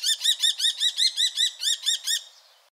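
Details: A common kestrel in the Wittlich valley, Germany, 2018, gives a rapid series of about eleven sharp, shrill 'kee-kee-kee' notes, roughly five per second, then falls quiet.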